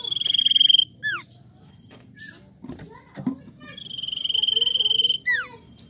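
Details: Common iora, known locally as cipoh or sirtu, in vigorous song used to stimulate untrained birds to sing: a long, even, fast-trilled whistle followed by a sharply falling slurred note, the phrase given twice with soft scattered notes between.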